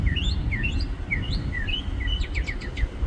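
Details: A bird perched high in a tree in a parking lot sings varied upslurred and downslurred whistled notes, then finishes with a fast burst of short sharp chirps, all over a low constant background rumble.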